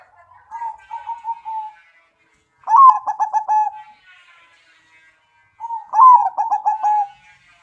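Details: Zebra dove with a big voice sings in the crocing style: a gentle opening coo series, then two loud stuttering phrases roughly three seconds apart, each sliding down into a sustained final note.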